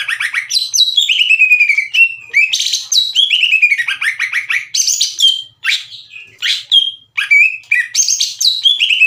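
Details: Green leafbird song meant to provoke rival leafbirds into singing back; loud varied phrases of high notes dropping into downward-slurred whistles, separated by short gaps, repeated about every second over nine seconds.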